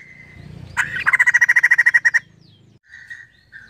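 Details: Brief soft note, then a female white-crested laughingthrush screams in a fast harsh rattle of about a dozen buzzy pulses, followed by quieter thin whistled notes.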